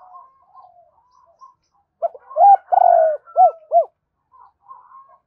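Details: Spotted dove cooing to provoke wild doves and call a mate. Soft distant cooing comes first, then a loud close phrase: clipped notes, a rising coo, a long wavering coo and two rounded coos, then faint cooing again.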